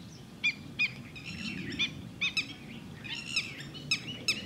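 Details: Red-wattled lapwing (Titodi) at Thol bird sanctuary calling with short, sharp, high notes at about half-second intervals, a few doubled, while a soft low rumble continues underneath.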